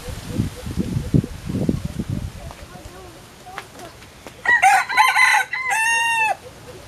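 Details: A pair of Philippine red junglefowl: after two seconds of low rumbling handling noise, two loud harsh crowing bursts follow, the second a clear, banded, drawn-out note ending abruptly.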